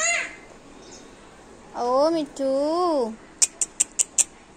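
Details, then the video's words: Female Alexandrine parakeet, a pet talking parrot mimicking speech, gives two drawn-out arched voice-like phrases, then five sharp clicks in quick succession in a small room. "Talking parrot"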